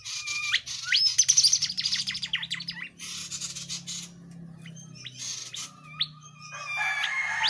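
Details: A gacor tledekan jati used to tutor songbirds: quick trilled notes and sharp upslurs, then quieter scattered whistles and a harsh buzzy burst at the end, with a faint low hum.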